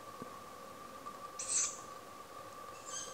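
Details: A young tawny owl, just fledged, at a home property (dated 160701), screams a hoarse, wheezy, high breathy hiss at its parents to bring food, then starts another near the end, over a faint steady hum.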